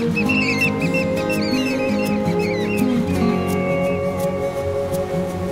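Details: Sooty Oystercatcher, a timid shorebird endemic to Australia that peeps when approached, gives a run of sharp, shrill piping notes with quick bending inflections, mostly in the first three seconds, over steady background music.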